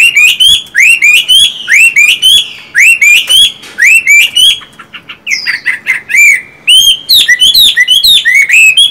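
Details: Caged Chinese hwamei, a singing-type and a fighting-type bird kept under one roof without ever meeting. Rich whistled song of upslurred and looping notes, rapid and varied, with short pauses and a burst of quick chips near the middle.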